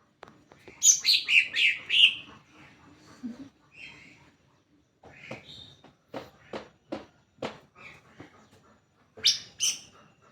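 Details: Greater green leafbird song meant to lure other leafbirds into singing: a rapid string of high slurred whistles, scattered softer notes and repeated sharp clicks, then a final burst of bright chirps.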